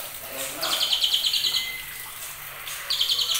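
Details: Quick high trotolan notes from a young white-rumped shama, over two months old and from champion-line stock, rattling out for about a second, pausing, then starting another stuttering run near the end.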